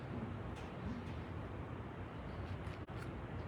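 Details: Steady low rumbling, like a distant engine or vehicle, with no animal calls.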